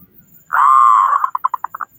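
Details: Zebra dove, a strong-voiced local Indonesian bird whose song is meant to prompt other doves to sing: one long smooth low coo that breaks into about eight short notes spaced ever wider apart.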